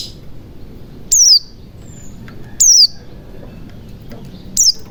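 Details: Three separate, pure downward-gliding high whistles from a white-eye, spaced about one and a half seconds apart, used as a lure to start other birds singing.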